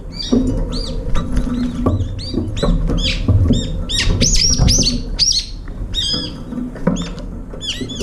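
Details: Brown-eared bulbuls arriving one, two or three at a time at a window feeder to eat; loud, shrill, arched squealing calls repeated in quick succession from several birds, over a low rumbling background.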